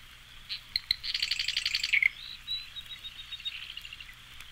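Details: Long-billed Marsh Wren song: a few sharp ticking notes, then a fast, dry, rattling chatter, followed by a softer, buzzy, reedy trill; no other sounds stand out.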